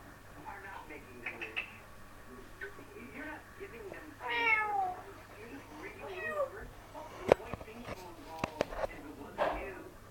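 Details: Pet parrot indoors shouting words such as "Mom" and "bye-bye" and making crazy sounds: a run of warbling, bending harmonic calls, with a loud rising-falling cry near the middle and sharp clicks toward the end.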